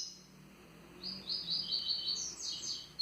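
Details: Double-collared seedeater singing the Tui Tui song style: a run of quick buzzy, slurred notes starting about a second in and ending in higher chirps, over faint low background hum.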